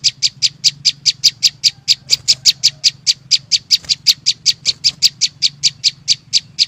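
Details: Flowerpecker (chim sâu xanh) song: a fast, unbroken train of high, dry ticking notes, roughly four or five a second, evenly spaced over a faint low hum.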